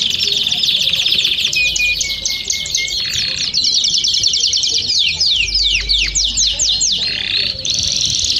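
Belgian canaries sing high, fast trills and chirps without pause, broken by long, clear whistles that glide downward. Several birds seem to sing over one another.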